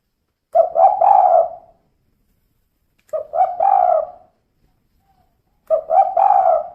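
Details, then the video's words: Female spotted dove calling, repeating a short coo phrase about every two and a half seconds, each phrase a quick stuttered start running into a longer mellow note; quiet otherwise. "Suara Burung Tekukur Betina Kuk 2"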